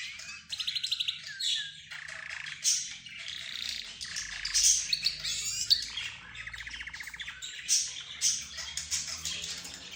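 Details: Mixed chorus of budgerigars, zebra finches and a canary, as if the birds discuss their own affairs: layered chirps, squawks and warbles, with two buzzy rattling trills standing out.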